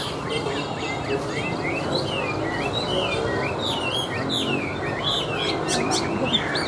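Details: Continuous rich song from a tame caged Chinese hwamei on a table: rolling chains of looping whistles and warbled slurs, varied and unbroken, over faint background hum.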